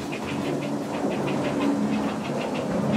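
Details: Grey heron nestlings at an island heron colony give a fast, even series of dry ticking notes, about six a second, over a steady hiss and low rumble.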